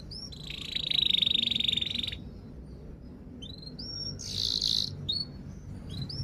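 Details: Canary singing, meant to coax silent canaries and teach young birds: a steady buzzy trill held two seconds, a pause with faint upslurred chirps, then a short buzzy burst and more rising chirps over low background hum.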